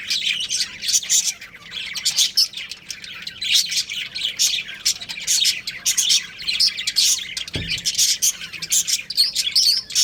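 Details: Pet budgerigars, a breeding pair, chattering continuously with sharp high chirps and buzzy warbled notes packed closely together, one soft low thump near seven and a half seconds.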